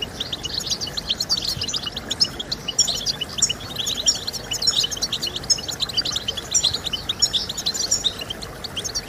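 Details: European goldfinch song played to stimulate other goldfinches to sing: dense, rapid twittering of bright chirps and short trills, high-pitched and continuous throughout, with a faint hiss underneath.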